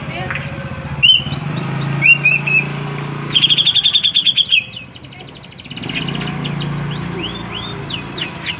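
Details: Grey-cheeked bulbul singing actively: clear whistled slurred notes, short downward phrases, then a rapid run of about a dozen bright repeated notes, over a steady low hum with faint voices.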